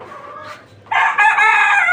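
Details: Native free-range chicken on a farm of 29 hens in Bangladesh: a rooster crows loudly from about the one-second mark, a harmonic-rich drawn-out cry that holds steady to the end, after faint clucking.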